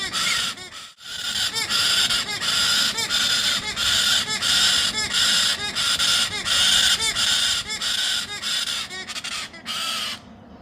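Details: A baby galah gives loud, harsh, grating screeches nearly nonstop, each raspy burst running into the next with only brief breaks.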